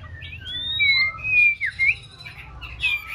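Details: White-rumped shama, a six-month-old female learning to sing, gives long smooth whistles rising and falling, one dipping slur, then softer scratchy notes, over a low hum.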